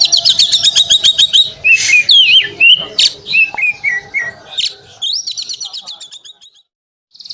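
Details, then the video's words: Canary singing, kept on two parallel perches to keep it calm during contests: fast high trills of sharp repeated notes, then twisting slurred whistles and another rolling trill that fades out toward the end. "Kicau Anteng Kenari"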